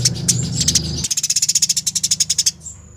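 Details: Eurasian tree sparrow fighting, from a training master: scattered chirps over low rumbling noise, then a steady, fast train of about fifteen rasping notes, ending in a thin high tone.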